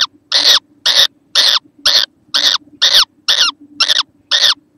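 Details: Young kookaburra, 6 November 2014, calling loudly and steadily: harsh, slightly downward-bending squawking notes, about two each second, with a faint steady hum underneath.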